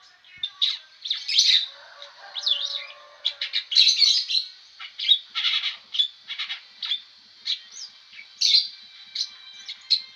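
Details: Restless long-tailed shrike delivers a busy stream of harsh chattering bursts mixed with brief whistled notes, loud and unbroken throughout.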